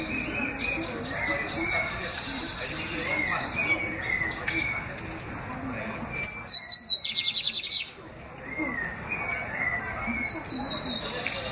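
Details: An excited lined seedeater sings in a domestic setting: rapid high buzzy trills and chirps, then a loud burst of clipped repeated notes near six to eight seconds, over a noisy indoor background.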